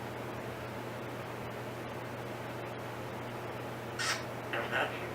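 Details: Timneh African grey parrot in her cage indoors copying a human cough: after a quiet stretch with a constant low hum, two short, rough, breathy cough sounds follow in quick succession.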